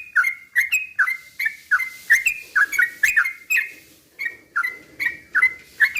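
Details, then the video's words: Yellow-vented bulbul singing slow rapid-fire phrases to provoke other bulbuls: fast repeated whistled slurs, some paired, with a light low background murmur. "trucukan gacor ROPEL PELAN BUAT pancingan trucukan agar bunyi jadikan burung trucuk gacor EMOSI"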